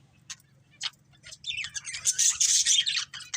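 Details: Budgerigar breeding pair: a few short separate chirps open, then a run of high, harsh, buzzy chatter builds over the last second and a half, above a low background hum.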